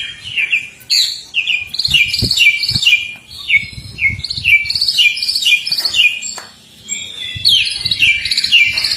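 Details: Male white-rumped shama courting a female, singing a rich, varied song of quick whistled and chirping phrases, slurred notes rising and falling, delivered in bursts with brief pauses, low background rumbles between phrases.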